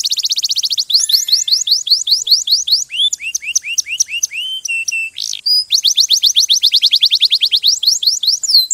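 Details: Canary song mixing fast trills, clicking notes, short flat whistles and descending slurs, varied and high-pitched, with no background sounds.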